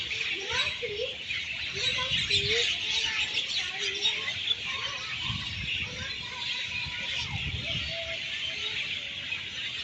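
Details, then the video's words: Many birds packed in a leafy tree in Singapore at evening, noisy roost; thick high chirping mass with repeated short looping whistles underneath and soft low rumbles. "Pakinggan nyo guys ang huni ng mga ibon. Napakadami. Napakaingay nila."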